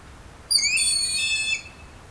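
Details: A broad-winged hawk recorded in Estrie, Quebec, gives one thin, high whistle lasting about a second. It slides up sharply, then holds steady before a slight drop. Nothing else is heard.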